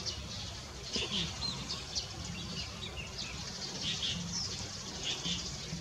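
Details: Warbling (Japanese) white-eye, Zosterops japonicus, at Baisha on 15 March 2018, giving thin, high chirps scattered every second or so over a steady low rumble and background hiss.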